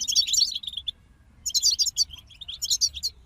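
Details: Several European goldfinches singing, a motivation recording for songbirds: a loud burst of jangling twitters, a pause, then two more bright trilled bursts of rapid high notes.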